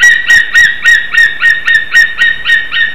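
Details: White-tailed eagle pair at their nest in Slītere, Latvia, on a February 2021 morning around mating and bonding. A rapid series of sharp, ringing yelps repeats about four times a second in a steady rhythm.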